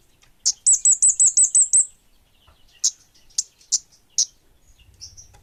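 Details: Orange-headed thrush singing: a fast burst of about eight high, sharp notes in under two seconds, followed by several separate single notes spaced roughly half a second apart, against a quiet background.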